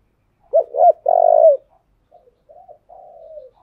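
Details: Cooing of a spotted dove decoy bird, meant to excite newly caught birds: two clipped coos and a drawn-out buzzy coo, then softer, fainter coos trailing after a short gap.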